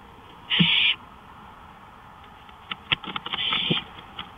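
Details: Owl out on a porch at night, 1:53 AM, May 5, 2013. One harsh breathy hiss is followed by scratching and clattering, then a softer, ragged rasp.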